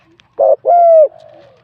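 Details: Wild spotted dove with a medium-to-large voice in a singing competition. It gives a single phrase: a short coo, then a long smooth falling coo trailing into a faint softer tail.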